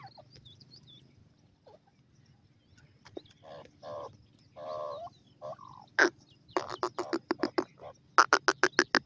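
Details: Grey francolin calling in the mating season. Drawn-out harmonic notes give way to a fast series of loud, harsh, clipped calls that speed up toward the end, over a low background hum.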